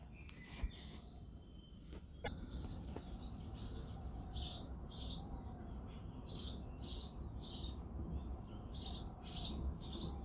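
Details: A male house sparrow sings and chirps on a February morning, giving a long run of rapid, fairly even chirps about twice a second. A few sharp clicks and knocks sound near the start.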